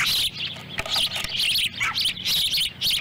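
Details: At a wild osprey nest in Lolo, Montana, in July 2017, the female arrives with a small fish for a chick. Bright, high chirping runs almost continuously, with one brief downward-slurred note near the middle.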